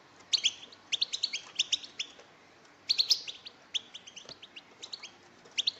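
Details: European goldfinch females chorusing to stimulate the males: clusters of crisp, high chirps roughly every half second to second, with several birds overlapping.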